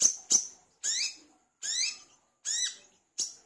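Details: Olive-backed sunbird, known locally as wiceh or manggar, singing vigorously as a lure to prompt other sunbirds to sing: six sharp, rising then dipping harmonic chirps, two quick clicks first, then notes about every 0.7 seconds.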